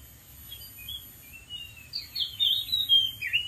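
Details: Wild Oriental magpie-robin singing from atop a dead tree: varied whistled phrases, quiet at first, then louder sweeping and warbling notes high in pitch, with steady faint background hiss.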